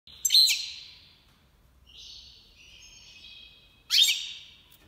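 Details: Major goldfinch, an Iranian goldfinch, in breeding season 2022; two loud bursts of buzzy, trilled twittering notes with quieter drawn-out twittering between them.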